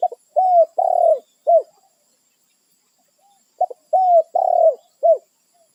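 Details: Spotted dove in the wild calling its companions, territorial: two clear phrases, each a short note, two longer rising-falling coos and a final brief coo, separated by about two seconds of silence.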